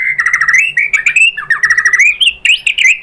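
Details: White-rumped shama (murai batu) singing a lure song meant to provoke other shamas into answering: rapid run of clear chirped and slurred whistles, rising and falling, delivered in quick bursts with short gaps and no other sounds.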